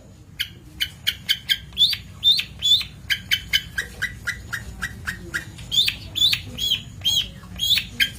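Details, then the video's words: Long-tailed shrike song for training birds: rapid series of clicky, ticking notes followed by rising, whistled chirps, the phrases mixing and alternating in a lively, chattering run. "Masteran Cendet / Kicau Cendet"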